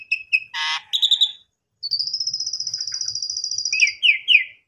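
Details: Asian pied starling lure used to make a caged jalak suren sing vigorously after the owner's holiday absence: scattered squeaks and a dense harsh burst give way to a long, evenly pulsed high trill, ending in downward-slurred notes.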